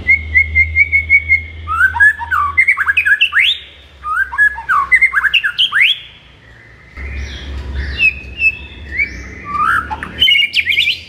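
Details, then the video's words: White-rumped shama morning song to stir up a kept shama: a long, flowing sequence of rapid whistles, upward sweeps and chattering notes in several phrases, with a low hum underneath at times. "MASTERAN MURAI BATU DI PAGI HARI AMPUH UNTUK NAIKKAN EMOSI MURAI BATU ANDA"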